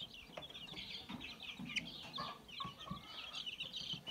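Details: Mixed breed chicks peeping on 22 January 2022: a steady chorus of many high, thin chirps overlapping continuously, with a few lower soft notes underneath.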